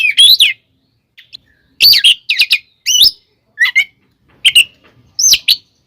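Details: Kacer, the Oriental magpie-robin, delivering an aggressive fighting song meant to rouse rival magpie-robins; loud clustered phrases of sharp whistles and scratchy chatter, with short silent gaps between bursts and no other clear sounds.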